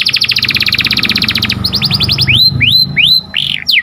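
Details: A canary sings in the morning, opening with a fast even roll of clipped repeated notes, then switching to a slower series of sweeping, rising-and-falling whistles, with a low hum underneath.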